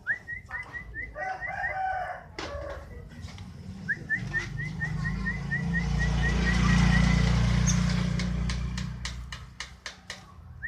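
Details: Fighter-style canary repeating quick upswept whistled notes, around three or four per second, in two bursts; a loud low rumble like a passing vehicle swells through the middle, and sharp clicks follow near the end.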